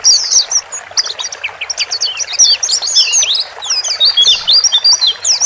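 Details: Male and female white-eye calls played to help a newly bought bird get used to its cage; scattered sharp high chirps building into fast overlapping twitters.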